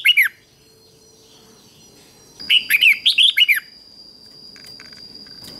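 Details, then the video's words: Red-whiskered bulbul in competition singing for bird training, giving a brief note then a lively phrase of six fast, looping whistled slurs, with a faint constant high tone in the background. "Chào mào hót đấu"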